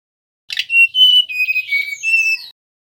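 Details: Lure recording of a male mangrove whistler: a brief rough note followed by sustained, clear whistled tones that slide slightly downward, then a final high rising-and-falling whistle.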